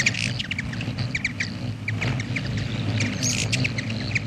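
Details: A Black-chinned Hummingbird at a feeder gives short, dry, high chips at an irregular pace, over a steady low rumble.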